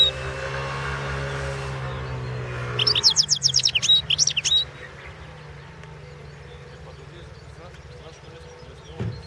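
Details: Goldfinch song from a 2016 world championship competition recording; after a low droning hum, a single burst of rapid, high, twittering and trilled notes lasting about two seconds, followed by quiet.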